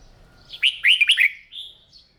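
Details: Red-whiskered bulbul in morning voice training sings one clear, rapid phrase of four bouncy slurred whistles, ending in a softer drawn-out note.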